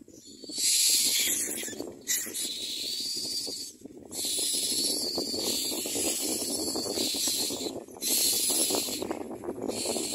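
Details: Common myna chicks in the nest, mouths open wide to be fed, give loud harsh hissing bursts lasting one to two seconds, repeated with short gaps, over a low rustling murmur.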